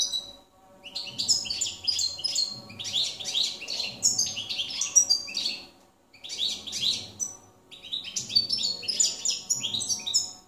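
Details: Goldfinch of the campero type, 2017: two bursts of rapid tinkling, chattering song separated by a short silence around six seconds, each packed with high, quick, slurred notes; light hum beneath.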